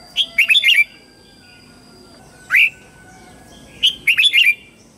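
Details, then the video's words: Red-whiskered bulbul morning song for coaching white-cheeked young birds: a fast, chattering phrase of several warbled whistles, a single rising note, then the busy phrase repeated, with a faint high hum behind. "Luyện giọng chào mào hót sáng hay nhất để luyện má trắng"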